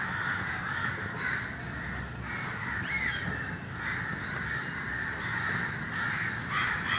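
Crows give harsh, rasping caws in a steady chorus, with a few louder calls rising above a constant background hiss.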